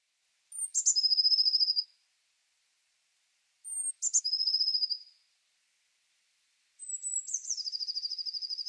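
Blue Tit song: three phrases about three seconds apart, each a thin, very high opening note or two dropping into a fast, silvery trill.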